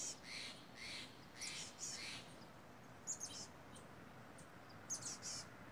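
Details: Two loud, talkative crows calling among misty redwood trees on a mountain, stirred up with a hawk perched nearby; harsh, rasping caws come in close pairs and triplets over a soft hiss of wind in the trees.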